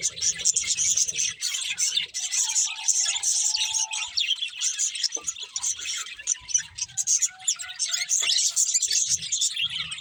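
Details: Budgerigars chirping continuously, a dense flock-like chatter of high warbles and short tweets with a faint lower hum beneath.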